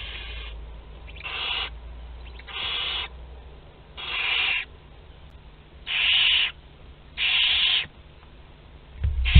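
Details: Young barn owls aged 2 to 12 days sharing a meal at their nest in Théding, France, on 29 April 2021: broad rasping hisses repeated roughly every one to two seconds, each lasting around half a second.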